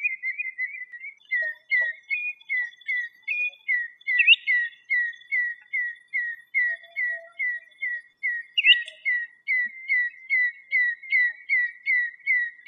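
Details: Common redshank in the wild in Greece, singing a long series of clear, two-part whistled notes repeated about twice a second in a steady rhythm. Twice the series is broken by a higher, sharper, rising note.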